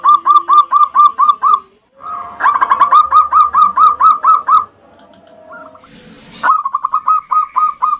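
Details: Zebra dove of local stock in 'ndudut' variation song, used to lure and provoke a rival: loud runs of rapid hooked notes, a softer, lower phrase in the middle, then a final quick series.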